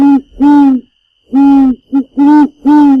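White Woodpecker giving five nasal, level-pitched notes, each under half a second, in an uneven series; a faint steady high tone runs underneath.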